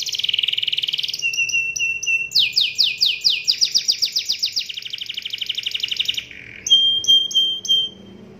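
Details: Canary singing a varied song meant to stir other canaries into song: a high rolling trill, then sharp descending whistled notes, rapid buzzy rolls, and finally slower clear notes repeated about twice a second, over a faint low hum.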